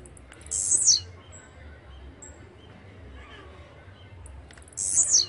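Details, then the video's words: Two high, wiry buzzes from a Blue-black grassquit (chirrío, pirra, tiziu, volantina), each about half a second long and dropping at the end, spaced about four seconds apart over quiet low hum, with soft short whistles in between. "CHIRRIO, PIRRA, TIZIU o VOLANTINA Y SU GRAN CANTO"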